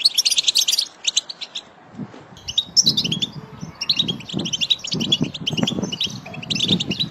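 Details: Goldfinch song meant to stimulate singing: bursts of high, rapid tinkling twitters break off briefly, then resume over a soft, low rumbling background.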